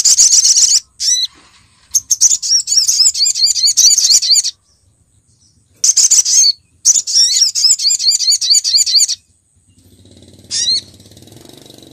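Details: Female Olive-backed Sunbird calling the male, a lure recording from Pronojiwo, Lumajang: rapid bursts of high, thin, sharp chirps in dense runs of several seconds, separated by short silences, ending with a faint low rumble.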